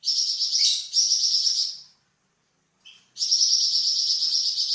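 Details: Varied song of a Flamboyan bird, a songbird kept as a tutor for cucak ijo and magpie robin: shrill, rapid, rattling trills, then a two-second silence, a soft note, and the trill resuming.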